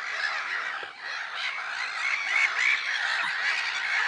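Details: Many black-headed gulls calling together on Lake Sarymsak, Pavlodar region, Kazakhstan, in April 2011: rasping, slightly nasal cries overlap into a constant din, with a few sharper squeals standing out.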